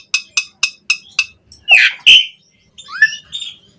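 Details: Asian pied starling in 'isian' song for tutoring starlings: a series of six short clicking ticks at steady intervals, then two loud harsh squawks and a few quieter whistled notes.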